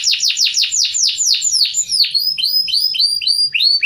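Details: Caged white-crested canary, kept in a hamster cage, singing continuously: a fast series of high downward-sweeping notes, then repeated rising chirped notes in a bright rolling pattern.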